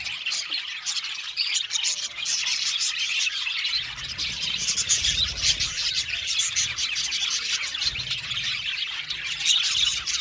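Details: Many budgies chirping at once, a constant bright twittering chorus of quick scratchy notes that swells slightly in the second half.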